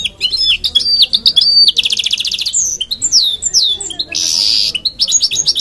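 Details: A goldfinch mule, hybrid of goldfinch and canary, singing a lively medley: repeated whistled notes, a fast rolling trill, descending slurred whistles and a brief harsh buzz before closing chirps.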